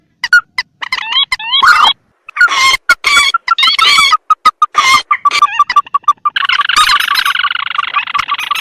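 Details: Rice-field and swamp lure track of the mandar or pelan rail set against tikusan crakes: quick rising squeaks, then a string of steady repeated nasal notes, ending in a dense, buzzy, harsh chatter.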